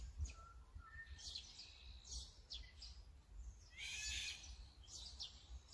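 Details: Azure-winged magpie, Sony A9 recording: a couple of short soft whistles, then several scratchy notes building to one long harsh rasping screech, with quieter chirps afterwards and low background noise.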